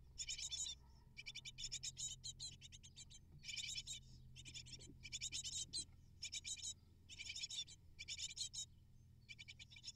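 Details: Begging chorus of eight great tit nestlings as parents deliver prey: bursts of shrill, harsh chittering repeated about once a second with brief silences, over a faint low hum.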